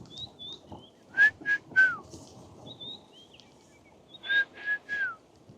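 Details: A red-chested cuckoo, calling persistently at sunset on 23 December 2024 in a South African Lowveld game reserve, gives two loud three-note whistled phrases with the last note dropping, while other birds give thin high chirps.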